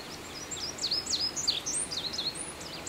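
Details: Indigo bunting song: a quick run of high, sharp, slurred up-and-down notes, some paired, over steady background hiss.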